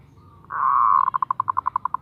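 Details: Female zebra dove calling for a male: a smooth sustained hum-like note, then it breaks into an even, fast trill of about a dozen pulsing coos.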